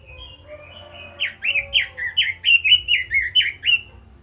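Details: Red-billed leiothrix, 'kích giọng' fired-up song: a few quiet thin notes lead into a rapid, loud series of about twelve sweeping warbled whistles, evenly paced.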